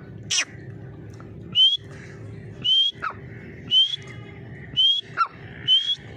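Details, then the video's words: Grey francolin uttering bright rising whistled notes about once a second, each a brief upward sweep, mixed with a few sharp clicks and a faint lower note, over a steady low-pitched background hum. "Dhakni teetar ki awaz|teetar voice|grey francolin voice"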